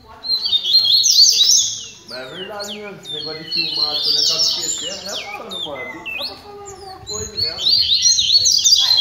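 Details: Several double-collared seedeaters kept for song training, singing together in a session: dense, fast, high-pitched twittering phrases with sweeping whistled notes and buzzy trills, overlapping almost continuously with brief pauses.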